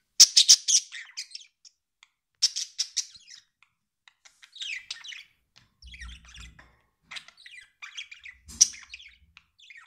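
A budgerigar chatters in quick bursts of high, scratchy warbles and sharp squawks, with brief pauses and a faint low hum in the room.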